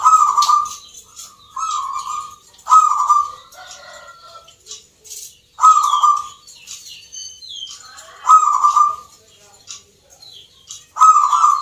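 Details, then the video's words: Contest zebra doves, locally perkutut, in Yogyakarta, Indonesia, sung in the Nglagu Ngepat Mentaraman style: clipped, bubbling coo bursts repeat roughly every one to two seconds, with high chirping from other birds throughout. "PERKUTUT LOKAL GACOR, TURTLE DOVE,ZEBRA DOVE, BIRD SINGING"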